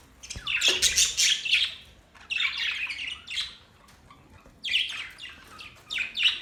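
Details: Australian budgies chirping in three bursts of dense, scratchy warbling chatter separated by short pauses, with no other clear sounds.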